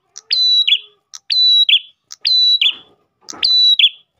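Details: Ash tailorbird song used as a lure for other tailorbirds. Four phrases about one second apart, each a sharp note, a flat shrill whistle and a lower rasping fall, with a faint rustle under the last two.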